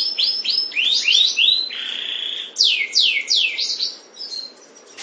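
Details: A breeding pair of canaries (Serinus canaria): song of bright, high, rapidly repeated downslurred notes, about three per second, broken by a held buzzy trill, with faint background hiss.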